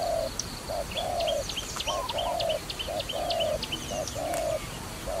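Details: Dove at a trapping site keeps up a broken string of soft, level coos, alternating brief and longer notes, accompanied by a chorus of sharp, falling tweets from other birds overhead.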